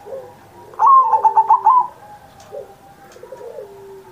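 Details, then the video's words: Kept zebra dove singing a tutor song for young pet doves: a loud burst of quick, stuttered cooing notes, followed by softer, drawn-out low coos. "Perkutut Masteran Manggung Gacor Mancing Burung Lain"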